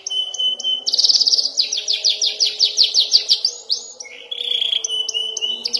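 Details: Young canary learning to roll: a high steady tone, then a loud fast series of pulsed notes, dropping to a sustained buzzy roll at the end.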